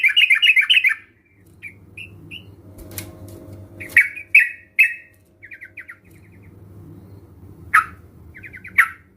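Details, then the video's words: Sooty-headed bulbul song played as a lure to get reluctant birds singing: a rapid bubbly phrase, scattered short whistled snippets and clicks, then brief chattering bursts over a steady low hum. "Pancingan Trucukan Bahan Ombyokan ‼️COCOK Untuk Memancing Trucukan Anda Agar Bunyi dan Gacor"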